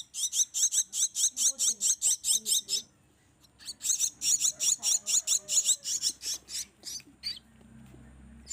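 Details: Captive Javan myna chicks still fed by hand beg noisily: a fast series of harsh, buzzy rasps about twice a second, a brief pause, then another burst of grating calls trailing off into quieter notes.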